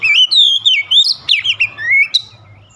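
An Oriental magpie-robin sings a rich, varied run of clear whistles, sliding up and down with sharp rising notes, steady and unbroken for nearly three seconds.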